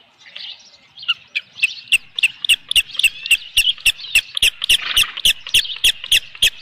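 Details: Osprey at the nest with a big headless fish on a July 2018 evening: high, squeaky chirps that speed into a steady, fairly regular series, about three to four a second, each with a sharp click.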